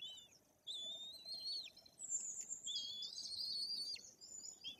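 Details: Chicks of the white-tailed eagle, about three weeks old, being fed at the nest in Bory Tucholskie, Poland; high, drawn-out, slightly falling whistles and squeals in overlapping phrases.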